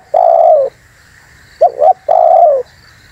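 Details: Spotted dove luring wild doves: a long mellow coo, then a quick two-note coo and another drawn-out, gently falling coo.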